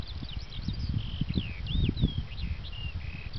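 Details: Eurasian skylark singing in its habitat, a continuous, fast stream of slurred, rising and falling chirps, fairly faint behind heavy low wind rumble and buffeting.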